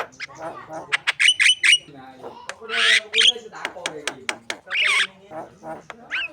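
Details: Javan myna singing as a model for contest birds: a busy mix of clicks, grating squawks and twisting whistles in irregular bursts.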